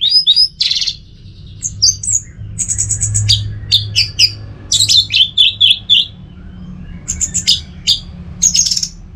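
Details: Caged orange-headed thrush in Singaraja, North Bali, singing a fast varied phrase of high whistles, chattering notes and sharp slurs, with a low hum and faint music behind.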